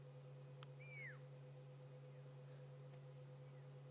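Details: A fork-tailed drongo gives one clear, high whistle that bends downward, mimicking a pearl-spotted owl's territorial whistle; fainter notes follow over a steady low engine hum.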